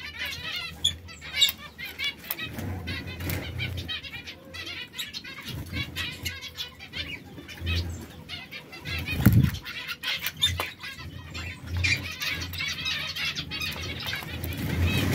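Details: Three caged canaries, one red, one yellow and one brown, occasionally squabbling. Short high chirps and twittering notes come in bursts, mixed with broadband fluttering and scuffling, over a steady low hum.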